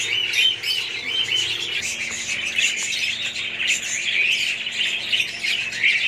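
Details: A group of budgerigars chattering without pause: dense, high warbling and chirping with scattered sharp squeaks, many birds overlapping throughout.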